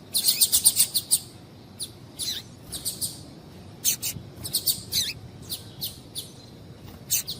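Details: A female double-collared seedeater calls to get a male singing. It opens with a fast chatter of high chirps, then gives irregular single and paired sharp notes, some dropping in pitch, throughout.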